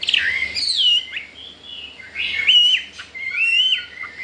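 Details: Wild-caught Chinese hwamei, a newly acquired caged male only four days in its new home and said to be ready to breed, singing loud, rich whistled phrases that swoop up and down, with short pauses between phrases.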